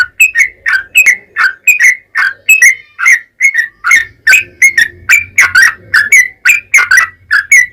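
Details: Loud yellow-vented bulbul song meant to stir other bulbuls into singing: bright chirped notes alternating slightly higher and lower, repeated steadily with hard clicky onsets throughout.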